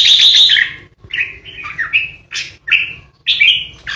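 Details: Red-whiskered bulbul used as a caged decoy, giving 'ché' song to intimidate opponents: a loud fluty opening phrase, then short clipped whistled and chattered notes separated by brief gaps.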